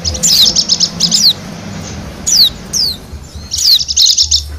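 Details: Wild white-eye of Bali, sound meant to attract wild birds: bursts of very high, fast chattering trills, two slurred falling whistles in the middle, then another quick trill burst.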